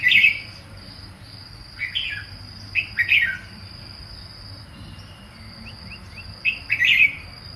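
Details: Red-whiskered bulbul of Nan forest stock, Thailand, singing short bright chirpy phrases that sweep down, in bursts near the start, around two to three seconds and near seven seconds, over a steady high insect whine and quiet rural background.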